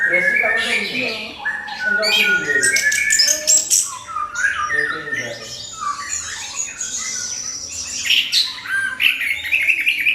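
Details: Orange-headed thrush singing a crystal-clear song used to provoke other birds into singing; opens with harsh descending harmonic notes, then a dense, continuous run of varied high whistles, chirps and quick trills with shifting phrases.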